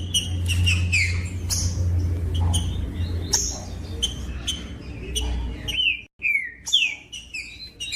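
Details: Green-winged saltator song used to stimulate captive birds: repeated down-slurred whistles and crisp clicks over a loud low hum, which drops out briefly before a few final whistled notes.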